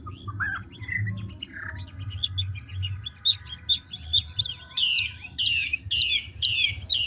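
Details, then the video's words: Old wild-caught Chinese hwamei changing songs continuously: soft varied whistles and short twitters, then five loud harsh buzzy notes repeated about every half second, over a low rumbling background. "Họa mi ngũ trường đảo giọng tốc độ"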